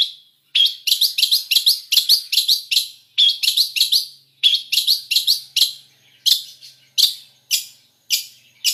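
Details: Long-tailed shrike performing a full mixed song with imitated fill phrases, used as tutor song. Quick bursts of sharp high chirps come in clusters, then slow to single notes spaced about half a second apart.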